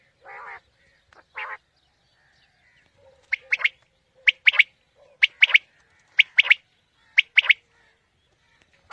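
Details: Calling quail, used as a morning hunting lure: two low, buzzy nasal notes open, then sharp three-part phrases repeat roughly every second, each a high clipped note followed by a quick double.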